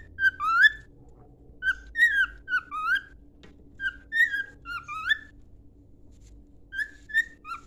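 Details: A cockatiel's training song of bright whistles, each phrase a run of short upslurred and steady notes, delivered in three groups with pauses between and a soft steady hum underneath.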